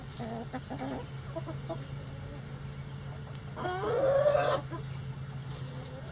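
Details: Rooster crowing in a sunny coop of a backyard flock of mixed egg-laying breeds and bantams: a loud rising, drawn-out crow after a run of soft clucks, over a constant low hum.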